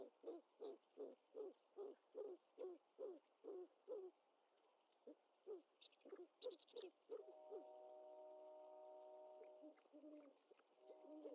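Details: Great horned owlet at the nest on 25 March 2021, filmed by a live nest camera while its mother brings in a bird. Short, low hoarse notes repeat about every third of a second. Later a faint higher chatter and steady droning tones are heard.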